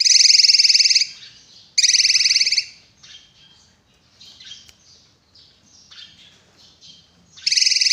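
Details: Drongo singing loudly: harsh, buzzy, high bursts lasting about a second, separated by softer scratchy warbles and chatter, with a rough burst returning at the end.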